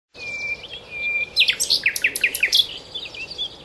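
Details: Common nightingale singing at Cowpen Bewley in 2012; a thin whistled opening, then a rapid burst of about ten loud, sharp, descending chipping notes, followed by softer twittering phrases.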